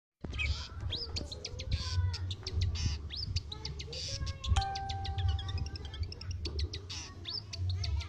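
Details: Long-tailed shrike (cendet), a bakalan (untrained) bird from Lampung, singing vigorously: a dense, fast run of sharp chirps, rising whistled sweeps and buzzy notes, with a steady low hum underneath.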